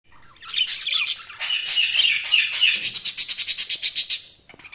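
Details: Budgerigars chirping: a dense, fast run of high, scratchy chatter that warbles along, then breaks into rapid, evenly pulsed chirps near the end, with a few softer notes trailing off.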